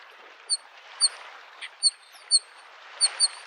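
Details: By a lake in spring, a Bluethroat gives clear, thin, high piping notes spaced about half a second apart, some slightly upslurred, against a steady background hiss of small waves on the shore.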